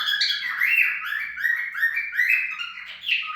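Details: Unbroken warbling chatter from a cockatiel, a fast chain of bending whistled notes with no pauses throughout.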